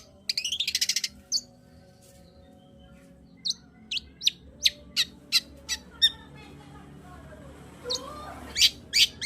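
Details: Long-tailed shrike song for provoking a quiet shrike: an opening rapid buzzy rattle, a pause, then a series of sharp clicking chips, a gap, and a few harsh closing notes over faint hum.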